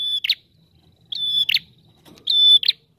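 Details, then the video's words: Lure recording of a prinia in the dense 'ngalun' style: three sustained high whistles, each closing with a scratchy buzz, a soft low rumble beneath and a brief click between the last two phrases. "Prenjak TAMU Gacor Ngalun Rapat"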